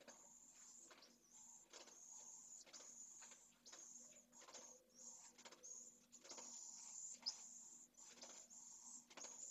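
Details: Pallid swift chick being fed by its mother at nest N1 in a school colony in Jerez de la Frontera, Spain, close to fledging. A thin, high hissing buzz is repeatedly broken by sharp knocks and scraping thumps.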